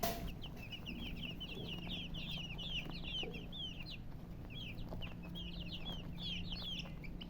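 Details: Baby chicks chirp in rapid, overlapping bursts of high slurred peeps, a brief pause midway, then more scattered calls, with a continuous low hum behind.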